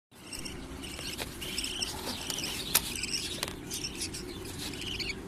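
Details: Budgerigars give alarm calls at an artificial snake threatening their chicks: rapid, harsh chattering chirps with sharp clicks over a low background rumble.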